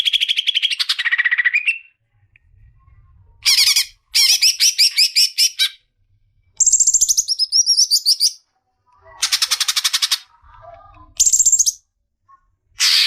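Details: Lively leafbird song made of varied phrases: a falling warble, then several bursts of rapid buzzy trills at different pitches separated by short silences.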